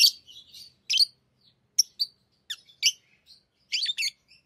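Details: Busy twittering from tamed pet lovebirds at play with rings: rapid high squeaks and buzzy chips, some in quick pairs and a closing flurry of clustered notes.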